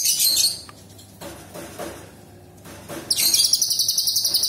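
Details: Sooty-headed bulbul, a caged singing bird, in a burst of varied sharp song mimicking small birds, big birds and insects: high scratchy notes at the start, then a fast run of rhythmic chattering notes repeated several times per second.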